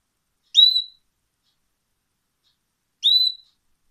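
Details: A caged pet canary makes a bright, brief upslurred whistle, repeated once after a gap of about two and a half seconds. Nothing else is heard in the near-silent background.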